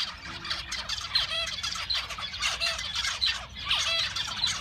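Male zebra finches sing, a busy mix of nasal, buzzy notes and quick harmonic chirps.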